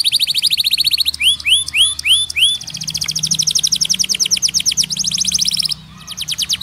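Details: White canary in full song, delivering a rapid rolling trill, a brief run of looping rising whistles, then long stretches of fast, evenly spaced chirping notes with a short pause before the trill resumes.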